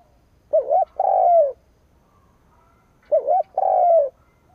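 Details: Spotted dove kept as a decoy bird, cooing to provoke rival doves: two phrases, each a short wavering double note followed by a longer, louder rolling coo, about three seconds apart, with a quiet background.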